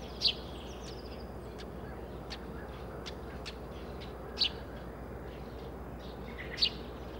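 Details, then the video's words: Eurasian tree sparrow in Sweden, calling and warning: three loud, high chirps widely spaced across several seconds, with fainter short ticks and clicks in between over low hiss. "Pilfink / Passer montanus / Eurasian Tree Sparrow / ljud-sound"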